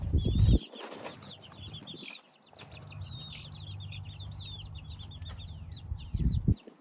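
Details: Young chicks give rapid high chirps, some rising then falling, in a busy run across the recording, while loud low thumps and handling noises sound at the start and end over a droning hum.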